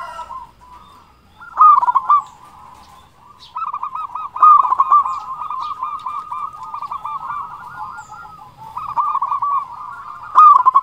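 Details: Zebra dove lure intended to excite and provoke quiet birds: a steady, long stream of rolling, hooked cooing notes from several overlapping doves, swelling into louder bursts near the start and end.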